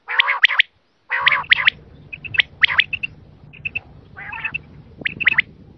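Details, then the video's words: Quail calls used to lure quail for hunting: nasal rasping bursts and sharp high clipped notes in twos and threes, with short piping notes, over a steady low humming background. "The quail's voice to catch"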